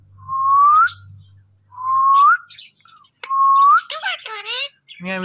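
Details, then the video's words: Pet talking parrot giving three rising whistled notes, each about a second long, then a burst of harsh, voice-like harmonic sounds and a short buzzy call at the end. Faint low hum in the background. "this Parrot talking are non stoppable"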